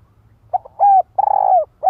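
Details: Cooing of a female spotted dove luring a male: quiet lead-in notes, a level hooked coo, a long vibrating coo that slides down, then the next phrase beginning, with low background rumble.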